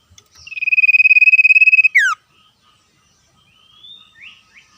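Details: In the wild, a common iora gives ngetir trilling song in a back-and-forth exchange with wild birds: a steady rapid pulsed whistle swelling for about one and a half seconds, a quick falling slur, then faint rising whistles.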